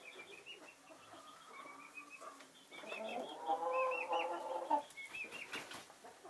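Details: Chickens of Naked Neck, Marans and Easter Egger breeds in winter sun. A long, tonal, slightly wavering call swells in the middle amid low clucks, with high chirps from small birds in the background.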